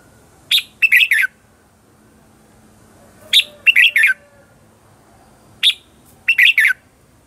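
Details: Red-whiskered bulbul lure song used to train and excite birds into competitive singing: three bursts, each a sharp note followed by a quick run of three or four loud buzzy chirps, spaced about three seconds apart over a quiet background.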